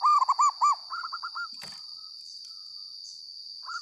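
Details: Loud local zebra dove song: a fast run of bold bubbling coo notes, then a quieter rapid trill, a short click, and a final soft phrase, over a constant high-pitched whine.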